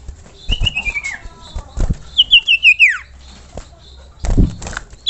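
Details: Common iora masteran song: a gently falling whistled trill, then a quicker series of bright notes dropping steeply at the end, with low thumps and rustling between phrases.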